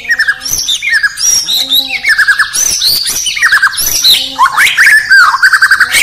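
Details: Morning song of a White-rumped shama from Indonesia, a dense medley of loud whistles, sharp upward and downward slurs and scratchy notes, broken by short low droning tones.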